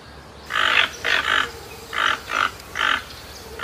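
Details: Toucan calling in a series of loud, harsh, croaking notes, about seven short bursts in under four seconds, some paired, spaced fairly evenly, over a low steady background hiss.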